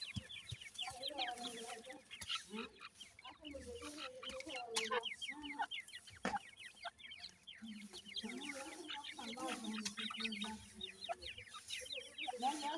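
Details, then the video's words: Grey partridge chicks of the new season, with parents caring for them, give a dense chorus of thin, high peeps, many overlapping each second, over low, soft clucking notes throughout. "grey partridge birds new season chicks"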